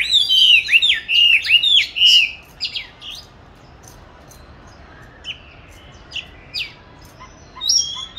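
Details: Oriental magpie-robin raised in a cage from 29 July 2020, recorded 22 March 2021 during song training. An opening run of four loud looping whistles is followed by a long quiet gap with sparse, fainter high notes.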